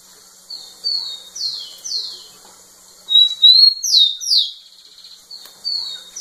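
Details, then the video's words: Rufous-collared sparrow singing to a female: falling whistled slurs, then a loud phrase of a long thin whistle and quick descending notes, ending with softer whistles. "Tico tico cantando muito na cara da fêmea"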